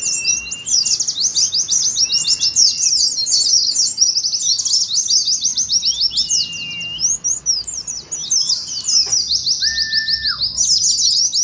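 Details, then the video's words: A group of Oriental white-eyes singing ngeriwik, meant to set other white-eyes singing. Continuous fast, high chattering runs throughout, joined by several lower, level whistles and one clear, flat whistle near ten seconds. "TERAPI PLECI NGERIWIK , PANCINGAN PLECI NGALAS"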